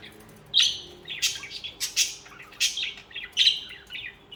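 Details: Budgerigars singing, social pet birds; loud close chattering warble of scratchy and whistled high notes, about six bursts in four seconds.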